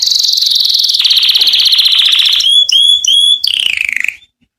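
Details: Canary song used to attract females for mating: a long, loud, high rapid trill, three clear upslurred whistles, then a falling trill that ends in silence.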